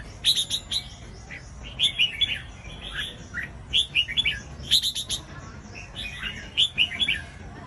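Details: Red-whiskered bulbul song used to stir other bulbuls into singing: short, bright whistled phrases of three or four lilting notes, repeated roughly every second or so with short gaps, over a steady low background hiss.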